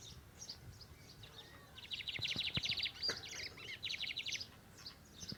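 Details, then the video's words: Torneado song of a lined seedeater, called bigodinho: two bursts of fast, evenly repeated high notes forming dense trills, separated by a brief pause, with a few sharp knocks and soft hiss underneath. "Bigodinho cantando"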